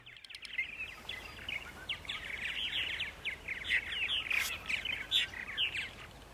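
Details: Purple martins on a spring morning, 8:30 AM on April 14, 2012, in Center Moriches, Long Island, New York: a dense, continuous chatter of gurgling chirps and warbles mixed together, with soft background noise.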